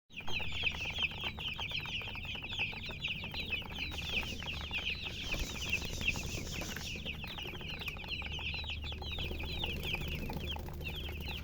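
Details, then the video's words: Chickens chirping in a dense, continuous chorus of short high peeps, many overlapping and sliding up and down, steady throughout with a low background hum. "silly chicken chirping sounds"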